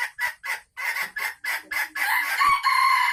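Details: Sumatran red junglefowl female kept in a cage, cackling as she prepares to lay, December 2020: eight loud rapid clipped notes followed by one long, strained, harmonic note.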